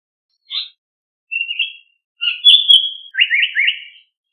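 Japanese paradise flycatcher singing: a few thin high notes, then a strong whistled phrase and a quick run of fluty, rolling notes. The background is quiet.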